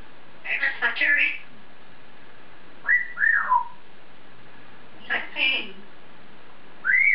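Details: Male African grey parrot in his cage, talking to himself: a chattery phrase followed by clear two-part whistles that rise and then slide down, repeated with short pauses.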